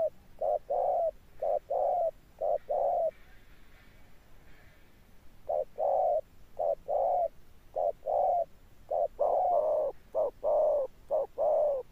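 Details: Spotted dove, a tame decoy bird, with a deep thunder-tone coo. Paired hollow coos are interrupted by a quiet two-second gap with faint rustling, then resume, the later notes louder and fuller.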